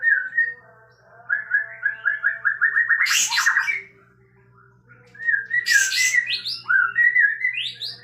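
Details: Caged sooty-headed bulbul spreading its tail while singing loudly: a fast run of repeated rising whistles swelling into harsh bursts, a pause, then further slurred whistled phrases, with a constant low hum in the background.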